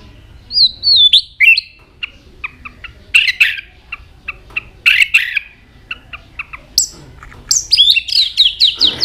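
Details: White-rumped shama with tail flicking, giving varied sounds: a few whistled notes, a long series of short clicks and chips, then a fast, high, descending whistled flourish.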